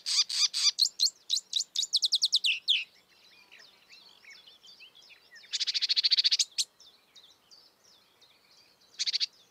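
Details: Marsh warbler in the wild, locally kerak basi, starting with a fast series of loud chirps, going into soft twittering, then a loud buzzy rattle and a final short burst.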